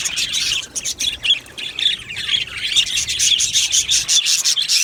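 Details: Australian budgies in an aviary colony, chirping and singing together: a dense, continuous chorus of high, scratchy chirps and warbles with quick overlapping notes and brief dips in loudness.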